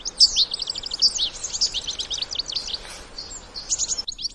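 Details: Adult European goldfinches with young out in nature, giving rapid tinkling twitters and buzzy trills over steady background hiss. A short broadband noise burst comes near the middle.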